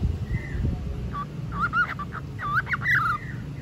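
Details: Pet cockatiel, bored again and starting to talk: a run of short whistled, warbling notes with bent, rising and falling contours over steady low rumbling background noise.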